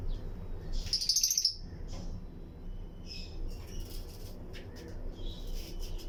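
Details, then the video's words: Breeding colony of Lutino lovebirds in an aviary among other birds; a loud rapid shrill chatter in the first second and a half, then scattered softer high chirps over a low hum. "Lutino Lovebirds Breeding Colony Cage - Chirping and Relaxing Sound"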